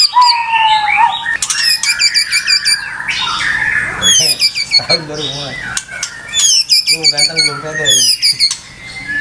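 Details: Provoked white-rumped shama in sustained, excited song: rapid mixed whistles, rattling bursts, harsh squawks and sliding notes with no long pauses, over faint background noise.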